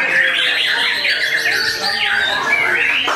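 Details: White-rumped shamas, captive birds at a breeding farm in Tasikmalaya, Indonesia, in a simulated contest, pouring out loud kretekan song: rapid, harsh, crackling phrases mixed with bright whistles, several birds overlapping.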